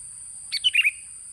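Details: Lure song of a sooty-headed bulbul: a single brisk phrase of four or five rich, bubbly whistled notes, rising then dropping, lasting under half a second over a low hiss.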